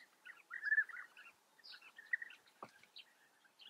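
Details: Soft rolling calls of European bee-eaters at an Eifel breeding colony in Germany, a short run of notes followed by scattered quieter ones and a single sharp click.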